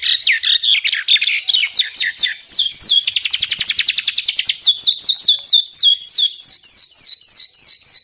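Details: High, unbroken songbird phrase from a master recording for training contest birds: dense chattering notes merge into a fast buzzy trill, then a steady series of short downslurred whistles repeated several times a second.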